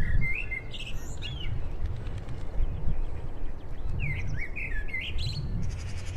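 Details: Western Jackdaws collecting horse hair as nesting material in Heemskerk, the Netherlands, give short, sharp chattering calls in two bursts, at the start and again after a pause, over a steady low rumble of wind.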